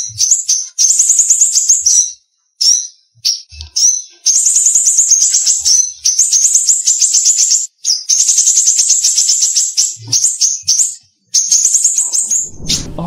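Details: A captive Rote Myzomela (Myzomela irianawidodoae) at a bird park in Taman Mini Indonesia Indah gives its dominant sharp "shooting" call: loud, very high notes in rapid one-to-two-second bursts with short pauses, and a few soft thumps.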